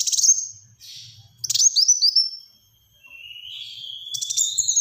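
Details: High sharp bursts from a black-throated sunbird, singing the dense 'tembakan rapat' style for luring and tutoring birds: short bright notes and quick hooked whistles, a gap, then a thin rising note merging into more fast twittering.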